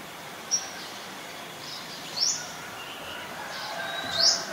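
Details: Olive-backed sunbird calling in mangrove forest at the Sirinart Rajini centre: thin, high-pitched upward-sweeping notes at irregular intervals, the last one strongest, with softer chatter from other birds and gentle ambient hiss.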